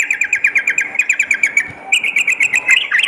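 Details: A Sooty-headed bulbul singing at night, used as therapy for fighter birds, gives evenly spaced crisp chirps about seven per second, briefly softening midway before a faster, slightly harsher run of notes.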